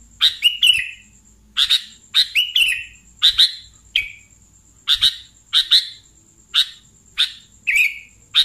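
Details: Sooty-headed bulbul calls used as a lure for catching bulbuls: short harsh chirps, some dropping into brief slurred notes, given singly or in quick pairs about every half second, with a steady faint high whine behind.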